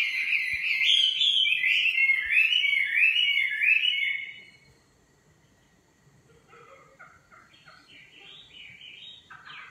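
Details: Nightingale song: loud, rapid, warbling whistled phrases for about four seconds, then quieter distant fragments.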